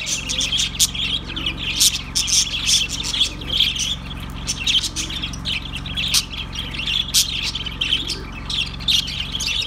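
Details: Budgies calling nonstop, with a dense mix of chirps, scratchy squawks and loud clicking bursts that come every second or so, and a low humming background throughout.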